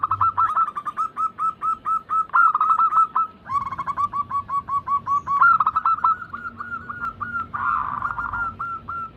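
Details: Zebra dove lure recording to bring hesitant perkutut into song; dense, fast series of short clipped notes with brief breaks, some louder emphasised notes, and a faint steady hum underneath.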